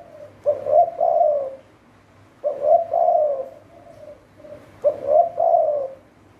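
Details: A spotted dove, a hand-held decoy bird used to lure wild doves, giving low, mellow coos: a soft lead-in note and two longer throaty coos, the phrase repeated about every two seconds, over a faint low hum.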